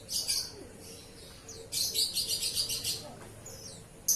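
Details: Oriental magpie-robin singing while being bathed: bright high chirped notes, then a rapid run of about eight repeated sharp syllables near the middle, ending with a short loud note.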